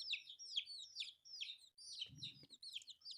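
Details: Colourful baby chicks feeding on rice give a quick run of shrill, falling cheeps, one after another, with a dull low thud partway through.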